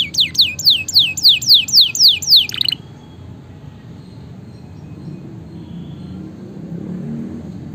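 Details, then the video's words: Canary singing to stimulate lazy canaries: a regular series of about ten sweeping whistled notes, roughly four per second, then quiet background hiss. "suara masteran dan pancingan burung kenari gacor"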